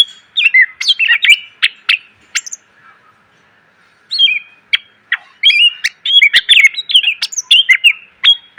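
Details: Greater green leafbird singing a rich, varied song used as training material for cage birds; dense chips and warbled whistles, a silent pause near the middle, then a busier stretch of rapid notes.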